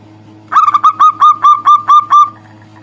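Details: Local zebra dove calling a rival: a few quick stuttered notes run into a steady string of about seven ringing, evenly timed coos, with faint low hum behind.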